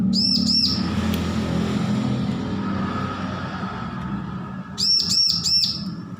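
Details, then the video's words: Juvenile bar-winged prinia, weaned from hand-feeding, practising song: a pair of arched whistled chirps at the start, a long gap of low rumbling noise, then a fast run of four swooping notes. "Ciblek lepas loloh belajar bunyi full masteran"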